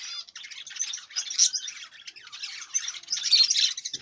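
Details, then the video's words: Budgerigar pouring out a continuous buzzy, chirping warble that rises and falls in loudness over four seconds. "Budgerigar bird"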